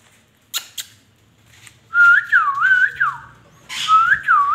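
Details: Indian ringneck parakeet whistling. A couple of sharp clicks are followed by a run of clear, wavering whistled notes that bounce up and down, then a second wavy whistle burst, over a low steady background hum.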